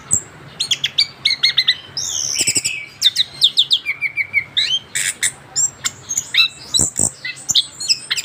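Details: Recently moulted young orange-headed thrush pouring out an unbroken 'ngerol' song of rapid chirps, rattling trills and clear whistled notes, almost without pauses, with a soft low electrical-like hum behind.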